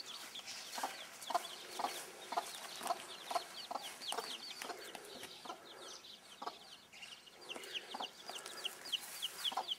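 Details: Broody bantam hen with her chicks: soft low clucks repeated irregularly, under a constant chorus of high, thin peeping from the chicks.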